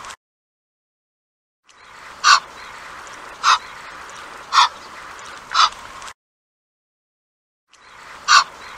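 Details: Egyptian goose giving loud, harsh, hoarse honking calls, single blasts spaced roughly every second, between gaps of silence, over a steady background hiss.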